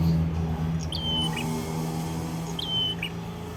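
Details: Red-headed prinia in full song in Kedungprahu village, Padas, Ngawi, East Java: two thin, high, level whistles about two seconds apart, each ending in a short lower flick, over a steady low hum.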